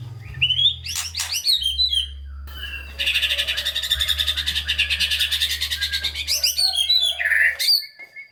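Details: White-rumped shama singing, recorded to prompt lazy shamas into song: quick whistled notes, then a long buzzy, rattling trill lasting several seconds, ending with chattering notes; steady low hum behind.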